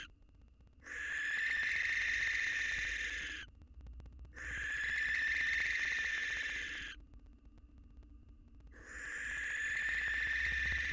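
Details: Widowed male barn owl courting a new female outside his nest box, his fledgling nearby: three long hoarse rasping screeches, each about two and a half seconds, separated by short quiet gaps.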